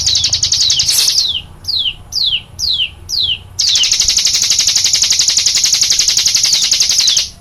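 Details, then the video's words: Songbird in "shooting" song: a high trill, then five separate downward-slurred whistles, then a long, intense, unbroken high rapid trill with descending sweeps. "Burung cigun suara nembak bikin merinding"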